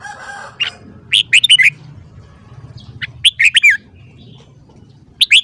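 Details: Red-whiskered bulbul in morning song, phrases of several quick, rich whistled notes with rising and falling slurs, separated by short gaps; a brief buzzy rattle opens the recording over a low hum.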